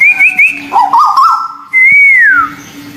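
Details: Brief white-billed bulbul song from local and Malaysian birds used for bird training: a high wavering trill, a lower bubbly warble, then one long clear whistle arching up and sliding down.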